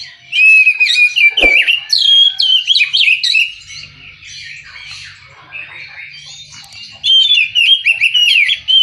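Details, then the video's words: Oriental magpie-robin singing at length: repeated phrases of clear whistles, chirps and rapid slurred notes in loud bursts, with a short quieter pause midway and a single sharp knock. "KICAU BURUNG KACER"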